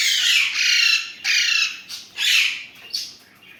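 Indian ringneck parakeet giving four harsh, raspy, high-pitched squawking bursts in under four seconds, possibly scratchy talking; no other sounds are clear.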